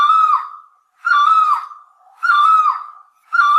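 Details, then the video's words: Loud, resonant calls of a great barbet. Each wailing note is rich in overtones, holds level and then slurs down before fading. Four notes are repeated about every 1.1 seconds in otherwise quiet surroundings. "Suab noog ab hau quaj Tiếng cu rốc lớn"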